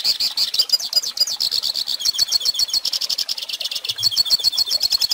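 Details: Song of a Hooded Siskin used to teach young birds: a tumbling, energetic chatter of high chirps and twangy trills, with notes delivered in rapid, uneven clusters.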